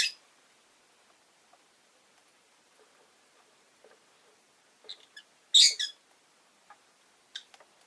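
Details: Pet rosy-faced lovebirds, five orange-faced green birds caged by a window: faint clicks and soft scratchy notes, then one loud harsh chirp with a brief echoing follow-up.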